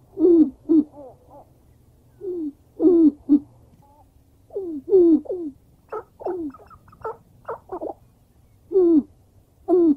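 Black grouse giving low, bubbling cooing phrases in short bursts every second or two, with a few higher, sharper notes mixed in.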